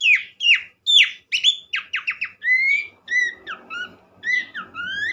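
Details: Horsfield's babbler song played as therapy to set other babblers singing: downslurred whistled notes, then a fast series of falling notes, then clear rising whistles around mid-pitch with a low hum behind.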